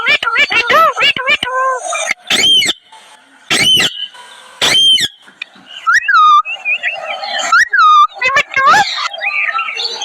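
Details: Parrots chattering together, recorded 7.8.2025: a run of quick arched, harmonic squawks, then loud separate shrieks about every second, followed by rising-and-falling whistled calls in short bursts toward the end.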